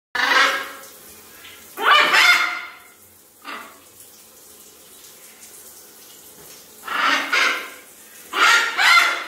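Scarlet macaw giving loud, harsh, raspy squawks in four main bursts, each about a second long, with a couple of softer squawks between them.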